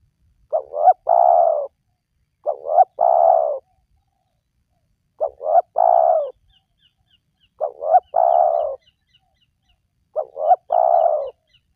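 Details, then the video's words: Spotted dove call for luring wild doves to call: a three-part coo phrase of two short, quick notes and then a long, drawn-out, falling coo. Repeated five times, roughly every two to two and a half seconds, in a quiet background. "Jitu 100% Pemancing Burung Tekukur Yang Malas Bunyi,Langsung Rajin Bunyi"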